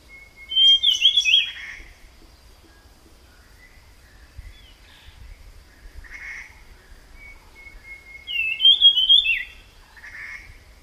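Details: Jungle flycatcher in the wild gives short whistled, warbling song phrases mixed with rougher chirps, heard in bursts about seven seconds apart, with quiet pauses between.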